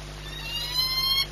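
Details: Peregrine falcon ringed 8BS, Orlen Płock, 22 March 2021, 14:39: one rising, harmonic wail of under a second, its overtones stacked high, with a steady low hum behind it.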